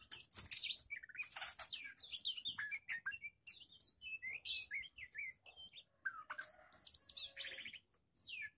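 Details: Untrained young magpie-robin tested alongside other birds, singing a dense, rapid stream of varied whistles, buzzy rattles and sharp chirps, with loud harsh bursts and brief gaps.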